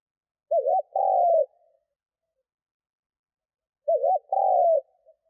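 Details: Cooing of a spotted dove played to draw in wild doves: two phrases roughly three seconds apart, a quick wavering lead note followed by a drawn-out falling coo.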